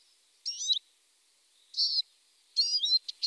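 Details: Eurasian siskin giving three separate bursts of thin, high, squeaky twittering notes, each under half a second, the middle one a wheezy drawn note, with quiet pauses between.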